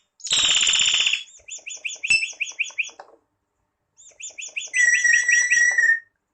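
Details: Common hill myna giving a harsh rasping screech followed by a fast series of clipped, ringing notes. After a pause, another rapid chattering series slides into a clear whistled tone.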